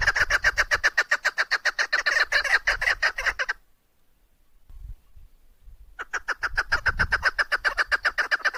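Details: Quick repeated clucks from a female chukar partridge for hunting, a brisk series that stops for about two and a half seconds of near silence, then resumes at the same pace.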